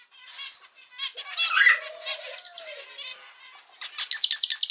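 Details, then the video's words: Household male zebra finch: softer buzzy notes and a chirpy cluster, a faint low drawn-out tone in the middle, ending with a loud burst of sharp, quickly repeated pips. "キンカチョウのさえずり・鳴き声 集めました②｜個性的なオス達 かわいい鳥 Cute Zebra Finch Songs 🎵 sing sounds calls"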